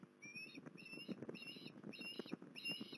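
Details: An osprey at Port Lincoln on 21 December 2020 calls in four evenly spaced bursts of clear, slightly rising whistled notes, each about a quarter second long, above a constant rustling crackle.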